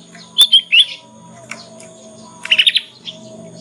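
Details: Caged young Yorkshire canary practising the ngriwik twitter used to prompt other canaries to sing; two short whistled slurs, a gap, then a quick four-note trill and a lone chirp.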